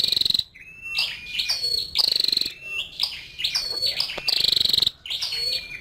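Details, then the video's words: Calls of a female scarlet-backed flowerpecker: sharp, fast-pulsed high ticking runs mixed with short thin whistles and downslurred notes, in close repeated phrases. "Tiếng chim sâu đầu đỏ mái"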